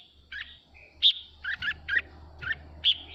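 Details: Male red-whiskered bulbul calling its flock with a quick series of crisp, chirpy whistled notes, about six in three seconds, some with a buzzy edge, over a faint low hum.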